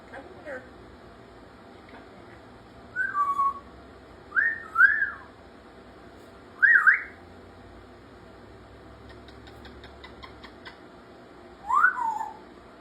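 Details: African grey parrot, a pet kept indoors, giving a series of clear whistled phrases. Each phrase rises and falls sharply or zigzags, with four bursts spread over about twelve seconds and quiet gaps between them.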